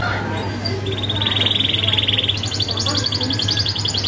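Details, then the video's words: Sharp canary roll used to train young canaries: a long even rattling trill, then a higher, faster rolling series of notes, with a low steady hum throughout. "Kenari Gacor isian ngerol tajam"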